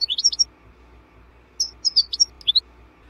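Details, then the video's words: European goldfinch song, recorded for training cage birds: two short bursts of high, twittering notes with a quiet gap between them, and the second burst has several sharp chips. "Goldfinch 12h The BEST Song"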